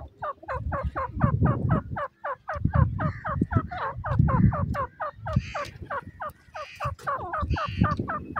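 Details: Grey francolin (Gora Teetar) calling: a rapid, steady run of short, falling, slurred notes, about four per second, overlapping as if more than one bird, over a low rumbling background.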